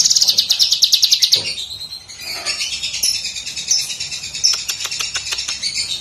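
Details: Lesser green leafbird master song for songbird training: fast high trill for over a second, then a rambling mix of high warbled notes and clicks.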